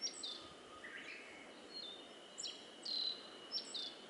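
Black-faced bunting song: thin, high, sharp notes and short chirps scattered over four seconds, with a faint lower trill. A steady background hiss runs throughout.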